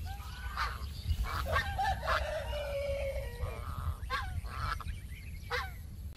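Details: Domestic geese kept in a backyard give a series of harsh, nasal honks, some drawn out and others short, spaced irregularly over several seconds, with a steady low rumble of background noise.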